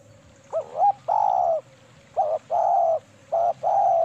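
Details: A female spotted dove used as a lure call gives soft, low coos in short doubled notes followed by a longer rolling coo, repeated twice over four seconds against a faint low hum.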